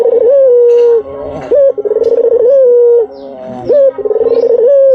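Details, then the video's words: Calling white dove recorded as a lure. Repeated purring coos, each a quick tremolo that slides into a sustained low tone with a slight upward lift, come about every two seconds. "SUARA BURUNG PUTER PUTIH || PANCINGAN PALING AMPUH || SUARA BURUNG PUTER MERDU"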